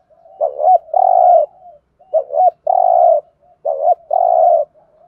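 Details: Spotted dove in Thổ voice thúc gù cooing, a trapping decoy call: three evenly repeated phrases, each a brief double coo leading into a long level coo, with soft trailing notes between.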